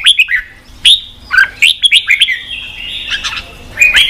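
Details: Red-whiskered bulbul song for exciting wild-caught birds to fight and training them to sing: loud, clear whistled notes in short slurred groups, a drawn-out wavering passage, then a renewed whistle at the end.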